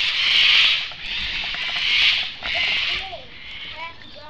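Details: Several cockatoos on a home's back deck in July 2008, recorded with a camera. Three loud, harsh, raspy screeches, each about a second long, followed by softer chattering and short whistled notes.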